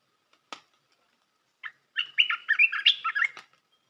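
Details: Red-whiskered bulbul training song for teaching young birds: a single sharp note, a short burst, then a rapid run of warbled, bubbly notes in a tight jumble lasting about one and a half seconds, in clean silence.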